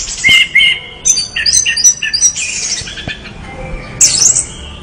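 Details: Orange-headed thrush in song: rapid clear whistles and warbles delivered in short bursts, some notes sliding upward, closing with a shrill high flourish after a brief quieter gap.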